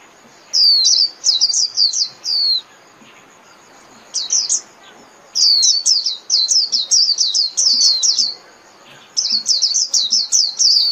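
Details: Flock-calling song of a white-eye: repeated bursts of thin, high, rapidly falling notes, a few isolated chirps between, and longer tumbling runs of twittering toward the end.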